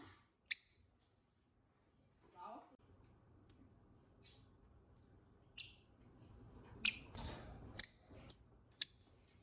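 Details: New pet pair of peach-faced lovebirds: isolated sharp high chirps, then a quicker burst of several shrill chirps toward the end with faint low rustling beneath.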